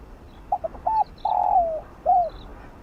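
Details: Spotted dove with a 'giọng đồng' field voice, calling to stimulate decoy birds: two brief coos and a flat coo, a long descending coo, then a final arched coo, with distant faint chirps.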